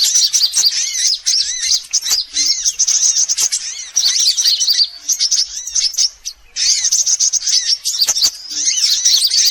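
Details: Sunbird calls used as a bird-attracting lure: rapid, sharp, high twittering in long dense bursts, broken by a few short quiet gaps, many notes overlapping.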